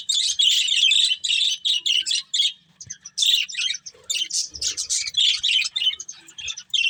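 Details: Captive breeding pair of budgerigars chattering: fast, grating chirps and warbles in clustered bursts, a short lull near the middle, then more dense scratchy chatter.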